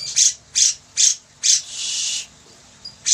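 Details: Grey-cheeked Bulbul giving harsh, scratchy squawks about every half second, ending in a longer raspy burst.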